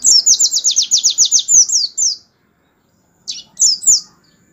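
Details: A canary's 'tembakan' song, used to train white-eyes, opens with a long rapid trill of falling high notes, then goes silent before a couple of brief slurred phrases.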